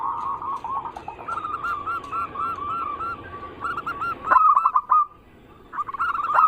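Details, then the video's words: Lure recording of zebra doves of local, Bangkok and crossbred types singing together. Soft repeated coos form stuttering phrases that swell into a louder bubbling run and end in a drawn-out note, with several birds overlapping. "Pancingan burung perkutut paling ampuh penarik Bunyi semua jenis burung perkutut Anggungan"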